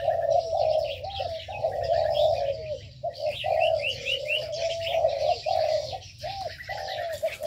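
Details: Aviary birds kept in an aviary: steady low, throaty cooing phrases running almost continuously with short breaks, while higher, quick twittering chirps flicker above throughout.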